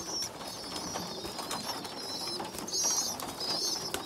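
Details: Young pigeons, one small and weak, feeding larger siblings; faint high hissing squeaks give way to two louder, reedy squeals near the end.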